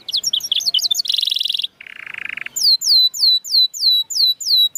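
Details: Canary song intended to stir canaries that refuse to sing: quick chirps, a harsh buzzy rattle and a lower buzzy burst, then a regular series of clear downward-slurred whistles about three per second.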